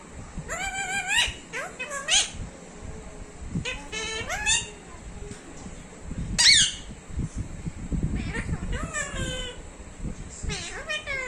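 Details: Talking parrot: a series of harsh, rising squawks and strained, speech-like calls with rich harmonics, several separate bursts over about eleven seconds, over steady room noise and low rumbling.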